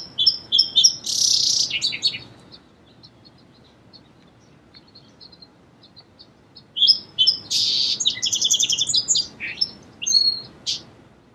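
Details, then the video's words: Two song sparrow songs about six seconds apart, each with crisp introductory notes, a harsh buzzy burst and a tumbling run of varied high notes. Faint scattered chips fill the quiet gap between them. "Song Sparrow Bird Sound"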